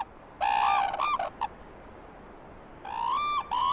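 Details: Wild pair of red-crowned cranes in Hokkaido, Japan, calling out of sync in a territorial duet that carries up to 5 km; loud trumpeting honks in two bursts separated by a pause of over a second.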